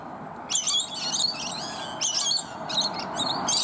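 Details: A large group of rainbow lorikeets feeding on bottlebrush flowers high in a tree give harsh, shrill screeches and chattering squeals in overlapping bursts about every second, over a steady background hiss.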